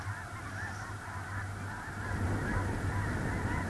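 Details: Snow geese massed on a small lake in central North Dakota, early November 2021: dense, overlapping honking from a large flock that swells louder after two seconds, with a low steady hum beneath.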